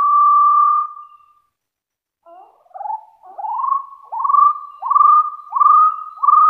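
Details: Hill partridge challenging rivals: a long level whistle, a pause, then a building series of rising whistles repeated about every 0.7 seconds.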